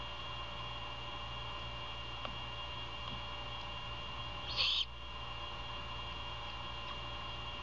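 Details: Great horned owls at the nest in Savannah, early morning, 21 February 2022, mother feeding owlet: a single loud, breathy rasping screech lasting under half a second, otherwise only a steady low hum.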